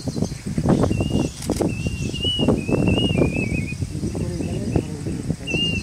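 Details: During Cyclone Yaas, a plaintive cuckoo (Cacomantis merulinus) whistles a series of short, pure notes that drift slightly lower toward the end, then one more after a pause, against dense low roaring noise with bursts of crackling.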